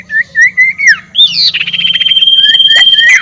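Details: Ashy tailorbird giving a ngekek call meant to provoke rival birds: wavering whistled notes, then a long even whistle overlaid by a rapid pulsing trill of many short notes, over a faint low hum.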